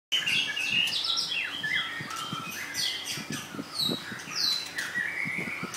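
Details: Two caged female White-rumped Shamas, freshly through their molt and not yet in form, kept together: rich varied whistled phrases, high clear notes and rapid downslurs tumbling one after another, with soft knocking and hopping sounds beneath.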